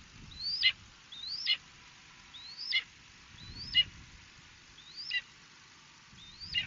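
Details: Red-shouldered hawk in Ithaca, New York, 2018: six loud, high, sharply down-slurred kee-ah screams, roughly one a second, over a faint low rumble.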